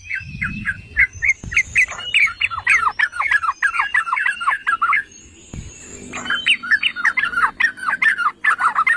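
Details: Yellow-vented bulbul (trucukan) song used to stir other bulbuls into singing: rapid, dense chattering runs of bubbly notes, a short pause midway, then another long babbling stretch with a thin high whistle above.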